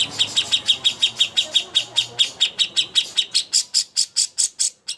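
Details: Contest training song of a greater green leafbird (cucak hijau): a long run of high, clipped chirps, steady at first, then growing louder and quickening into a rapid trill before stopping abruptly.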